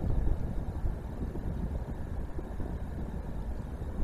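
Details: Steady low wind buffeting and distant city rumble at the Palace of Culture and Science in Warsaw, with no animal sound.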